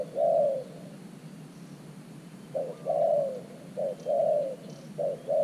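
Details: Decoy spotted dove at an earthen trap set to lure in wild doves, giving soft low coos: one long coo, a pause of nearly two seconds, then short-long coo pairs repeating, over a steady low background hum.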